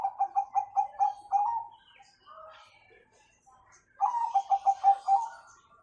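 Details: Bangkok zebra dove singing with the 'kung' tone, a master recording used to make young birds sing sooner: two cooing phrases, each a quick run of about seven pulsed notes ending in a longer drawn-out coo, roughly four seconds apart.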